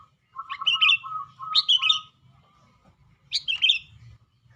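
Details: Caged sooty-headed bulbul singing actively: short bright whistled phrases that rise and fall, in bursts about every second with a pause before a final burst, over a steady lower whistled tone and a faint low hum.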